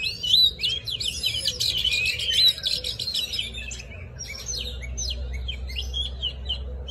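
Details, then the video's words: Oriental magpie-robin sings a wild-type song, a rich, fast run of varied whistles and chattering notes, loud then softer and scattered, over a low hum; recording used for trapping and for training young birds' voices. "Chòe than hót giọng rừng"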